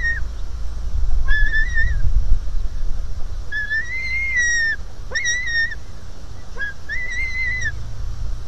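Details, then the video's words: Hungry white-tailed eagle chick at its nest on 4 July 2018; softer, wavering whistled squeals about a second long, separated by pauses, with wind noise throughout. "A hungry Suvi jumps to Mom"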